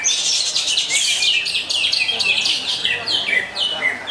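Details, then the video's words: A fast run of greater green leafbird song, crowded high chirps and sharp down-slurred notes tumbling one after another without pause, bright and piercing throughout. "Lagu Mewah Cucak Hijau"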